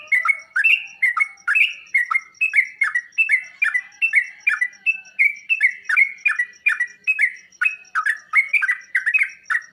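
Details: Sooty-headed bulbul singing to coax other birds into answering and full song: a nonstop stream of rollicking, liquid phrases, rising and falling, repeated more than twice a second, with faint high ticks.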